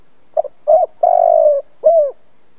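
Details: Cooing of a spotted dove used as a decoy to set other doves calling: two short hoots, then a long, slightly falling coo and a final slurred downward note, clean and close.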